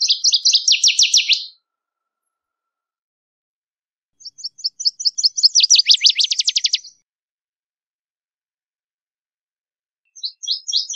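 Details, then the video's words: Northern waterthrush (Parkesia noveboracensis) singing in the wild: three loud, ringing bursts of rapid, sharp chip notes. Each speeds up and grows louder, then ends in a quick descending flourish, with about three seconds of silence between bursts. "Birds Singing - Northern Waterthrush"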